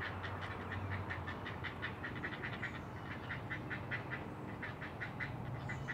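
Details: Great blue heron at its nest in a rookery high in loblolly pines on Maryland's Eastern Shore, Chesapeake Bay, recorded by nest camera at dawn on 20 June 2018; fast, dry clacking pulses repeat steadily over a constant low rumble.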